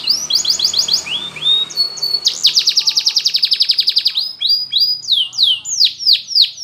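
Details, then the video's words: Powerful Spanish Timbrado canary song used for training: short repeated chips, a bright sustained note, then a long rapid rattling roll followed by loud descending swoops, over a faint low background hum. "Timbrado Canary's Most Powerful Singing For Training"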